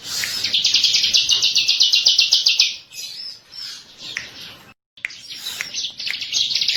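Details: Ciblek, or bar-winged prinia, master lure song: a sharply pulsed, high, rapid trill for over two seconds, then softer scattered chips, a brief dropout, and renewed high chattering.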